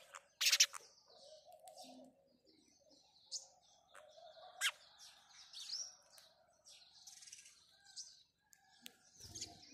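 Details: Morning house sparrow chirping, a loud sharp burst at the start followed by scattered high chirps and short trills, with faint low dove cooing and a muffled thump near the end.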